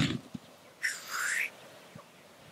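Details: Lekking black grouse giving a harsh hiss that turns into a rising, whistled sweep, followed by quiet gaps and a couple of soft low knocks.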